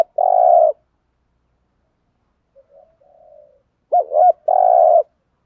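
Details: Spotted dove cooing in the 'thúc gù' style, a 'giọng thổ' voice: a long steady hollow coo, a pause with faint murmuring, then a wavering double note followed by another long coo.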